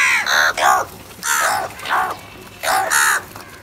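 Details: Repeated harsh crow caws in quick pairs, five loud raspy notes within under four seconds, from crows fighting and calling for food.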